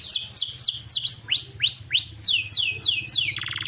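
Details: Canary singing to prompt a stalled canary. Loud looping whistled notes swoop down and up about three times a second, ending in a short buzzy trill, with a low hum beneath.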